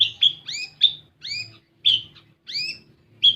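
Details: Kolibri ninja (olive-backed sunbird) lure song for untrained birds: a few well-spaced, piercing high chirps, each sweeping up and curling down, separated by short pauses, with a soft hum underneath.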